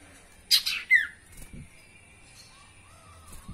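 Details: Spotted owlet song played as a lure to get caged birds singing: two harsh, buzzy squawks, then a sharp falling screech, followed by quiet with faint low knocks and a thin steady hum.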